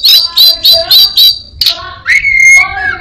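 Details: Caged orange-headed thrush imitating other birds: five quick harsh chirps in a row, a pause, then a rising whistle leveling into a sustained note.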